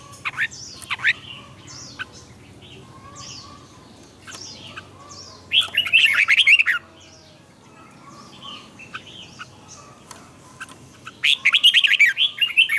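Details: Morning song of a red-whiskered bulbul used for training: scattered short whistled notes throughout, with two loud bursts of fast warbling, one near the middle and one near the end.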